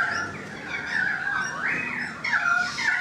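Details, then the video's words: Currawong singing from a balcony: ringing whistled notes gliding up and down, with one strong rising-then-falling sweep near the middle and overlapping phrases near the end. "The Currawong Song"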